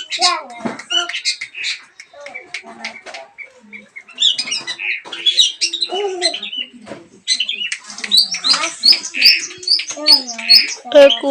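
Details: Lure recording of a long-tailed shrike, meant to provoke a mute bird into song. Rapid mix of dry clicks, rasping squawks and brief whistled notes, a short pause near the middle, then denser and louder chatter toward the end.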